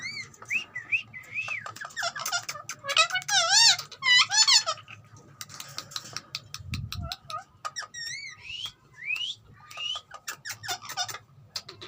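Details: Green ringneck parrot, called a talking parrot, makes rising chirps and loud quavering trills. Clicks and upslurred squeaks follow, with a brief low thump partway through.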